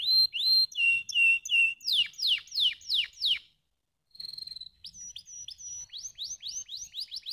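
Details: Canary song meant to rouse lazy birds: steady high whistled phrases, a run of falling notes, a short silence, a thin buzzy trill, then quickening rising chirps.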